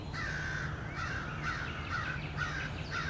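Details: American crows attack a male bald eagle at its nest, giving a run of hoarse caws spaced about half a second apart, with a faint low hum.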